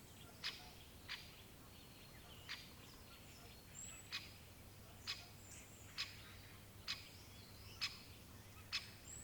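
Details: Great spotted woodpecker repeating crisp, abrupt 'kik' calls about once a second, slightly irregular, eleven notes in all, over quiet background birdsong with soft whistled phrases and a low rumble.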